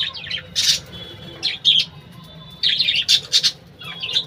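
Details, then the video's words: Budgerigars in a colony in a bird house: bursts of high chirps, squeaks and warbling chatter in clusters, with quiet pauses between, over a low steady hum. "बजरी तोते की कॉलोनी"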